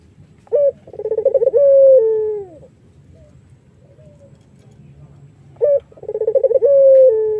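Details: Iraq-type collared dove used to lure other doves, singing two full phrases about five seconds apart, each a brief opening note, a rapid pulsed rolling trill and a drawn-out falling coo, with a quiet gap between.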